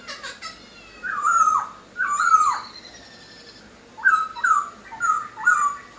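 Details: Black-throated laughingthrush from aviary keeping in lively song: rich, down-slurred whistled notes given singly about once a second, with a pause midway, over faint background hiss.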